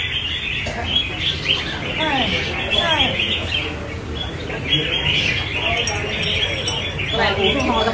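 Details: A caged red-whiskered bulbul sings on a competition display stand: short, bright, warbled phrases of quick up-and-down notes, with other birds chirping and people talking against a steady background hubbub.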